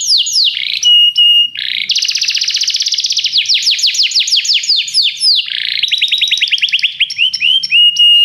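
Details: Canary song used as training to make other canaries sing more: loud, high trilled song of rapid repeated downslurred notes, fast rattling rolls and steady whistled tones, phrases changing every second or two.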